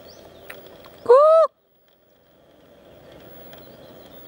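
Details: Peacock in a forest giving a single loud, brief, nasal wailing call that rises and then falls, followed by quiet background noise.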